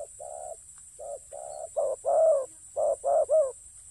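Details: Spotted dove, a ground decoy bird, starts with soft level coos that build into louder, rough, bending coos in quick succession toward the end, with a faint steady hiss behind.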